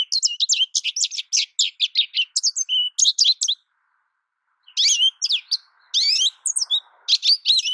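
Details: Rambling high-pitched twitters and warbles from an American goldfinch, a dense burst of quick notes, then over a second of silence before the song resumes in bright, sweeping phrases.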